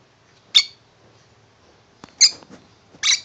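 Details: Tame pet lovebird, male, indoors, happy with a new shoe box given as a house; three short high chirps spaced over about three seconds, with quiet pauses between.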